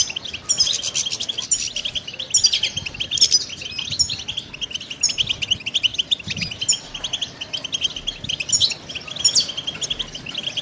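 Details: Pet European goldfinch singing: a continuous, fast twittering of high, tinkling chirps and short trills, bursts slightly louder around two, three and nine seconds, with faint low background hum.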